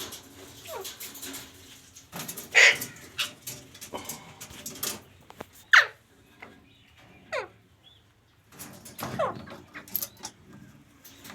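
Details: Pet parrot vocalizing indoors: sharp squawks and short descending whistled notes at irregular intervals, with a loud bright call near the middle and scattered clicks and rustling between calls.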